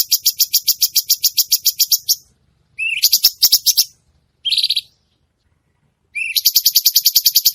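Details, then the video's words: Actively singing (gacor) cucak cungkok bulbul: fast bursts of high, piercing chips about three per second, broken by silent pauses, a short rising slur and a brief buzzy note between bursts. "burung cucak cungkok gacor"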